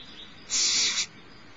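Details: Nestling barn owl at Starr Ranch, the littlest owlet being fed by its mother in the morning of 6 March 2011, giving one harsh, hissing screech lasting about half a second over steady background hiss.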